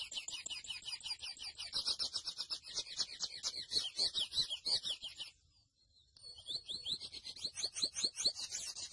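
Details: A mochuelo, or grey seedeater, sings a long, rapid chatter of high, sharp notes, stops for about a second, then resumes with quick rising chirps.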